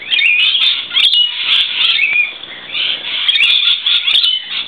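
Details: Lorikeets crowded on a verandah out of the rain screech loudly and without pause, harsh grating calls piling over one another; one male flaps his wings and stands tall to hold a female's attention.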